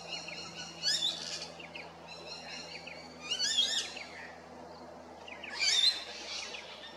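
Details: Rainbow lorikeets at Big Swamp Station, South Australia: loud raucous screech bursts roughly every two and a half seconds, separated by softer high chattering from other birds.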